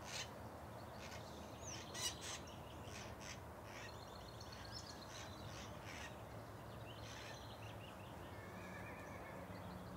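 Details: Macaws at a rural smallholding give harsh, broadband squawks in irregular bursts, several loud ones clustered around the second and third seconds, over steady background noise with thin high chirps of smaller birds.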